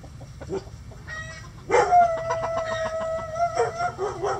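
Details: ['Chickens scratching and a rooster crowing in a coop on a sunny day: soft clucks and taps, then a long, level, strongly harmonic crow of nearly two seconds ending in a falling note, followed by more clucking.']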